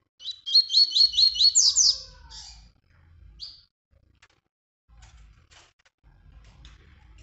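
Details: Captive-training song of the Tui Tui style used to teach young birds: a quick run of about six bright, rising whistled notes, then higher buzzy slurred notes and a short descending trill, with faint low rumble after.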